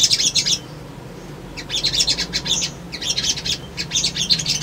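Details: Male sunbird, locally called sogon, singing as a lure to stir young birds into answering a rival: a high chattering burst, a second of quiet, then several rapid, scratchy twittering phrases, with a soft low hum behind.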